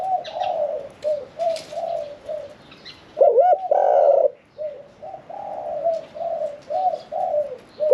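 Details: Caged Spotted Dove with a medium voice, a 'khan yon 1 kuk' singer kept for 1 year 4 months. A steady series of short soft coos is broken by one loud rolled coo and a drawn-out note. Light bird chirps sit behind it.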